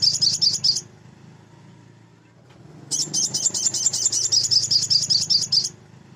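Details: Active song of a male crimson sunbird (sogon) meant to provoke less-trained birds: a short run of high piercing notes, a two-second pause with faint background hum, then a longer, rapid, even series of thin, sharp, twittering notes lasting nearly three seconds.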